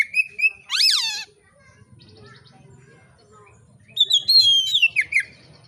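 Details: Relaxed oriental magpie-robin song for provoking other magpie-robins to sing: whistles, a buzzy harmonic note that slides down steeply, a quieter spell with faint low background sounds, then rapid varied whistling and twitters.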